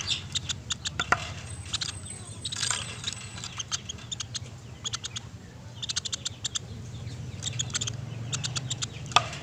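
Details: Sunda pygmy woodpecker producing repeated bursts of fast, dry, rattling ticks, around a dozen volleys across the recording, with a faint thin high whine and low hum behind.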